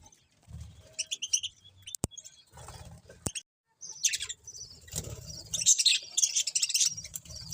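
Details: Pet budgerigars chirping in short bursts of bright, high, buzzy chatter with brief silent gaps, plus soft low thumps and rustling between calls.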